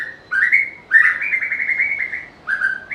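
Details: White-rumped shama singing: clear whistled phrases, some sliding upward and held, others broken into quick warbling notes, given in three bursts separated by short pauses.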